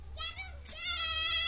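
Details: A male rose-ringed parakeet, a talking pet, chatters high, rasping, word-like phrases in two quick bursts, the second longer and steadier, over a low background hum.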